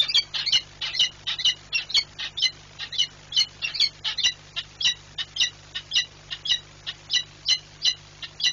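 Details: Screaming female peregrine falcon leaving the nest at Płock on 15 March 2022. A long, evenly paced series of harsh, strident 'kek'-like cries repeats about three times per second throughout, over a low steady electrical hum.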